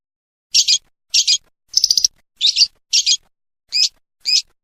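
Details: Lovebird in a training recording for Indonesian contest birds, giving seven short, harsh, high chirps spaced roughly half a second apart, one of them broken into quick stutters.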